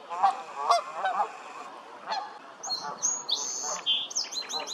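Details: Canada goose honks, loud and nasal, repeated quickly for the first two seconds, then fading while another bird takes over with high, clear whistled notes that slur and repeat rapidly.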